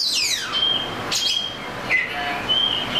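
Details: Oriental magpie-robin: a downward sliding whistle opens the phrase, then clear held whistles and a brief warble, repeated with short gaps.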